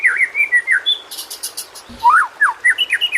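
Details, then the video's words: White-rumped shama training-recording song, meant to coax quiet shamas into singing: a steady series of clear whistled notes, each swooping down then up, with a brief buzzy burst in the middle and a soft background hiss. "masteran burung murai. mewah awas! kesurupan"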